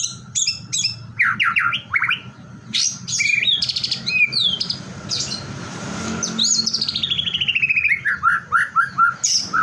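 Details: Provoking song of a white-rumped shama to make other shamas join in: quick clusters of sharp high notes, buzzy trills, then a long descending series of rapid repeated chips, with low hum behind.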